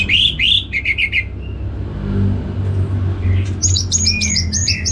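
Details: Orange-headed thrush kept in North Bali, Singaraja, recorded as a training sound for songbirds; bright slurred whistles and a quick chirping series, a pause filled by low hum, then a dense burst of high, varied notes.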